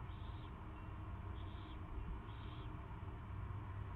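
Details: Feeding for the first time, an owl on 24 February 2016 at 2:15 PM utters three short hoarse hisses about a second apart against a continuous low hum.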